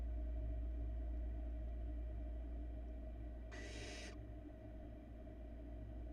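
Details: In a Florida barn owl nest box, the youngest nestling swallows a large rat; a single harsh, noisy hiss of about half a second breaks the quiet, while a steady low mechanical hum continues throughout.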